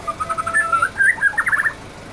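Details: Canary-style song from a white-rumped shama: fast twittering chirps and short trills in a busy, rolling run that fades out near the end, with faint low background noise.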